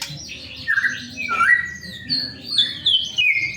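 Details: Song of a white-rumped shama used to coax other shamas into singing: a varied run of loud slurred whistles, sliding up and down between high and mid pitch, tightly packed with rich changing phrases.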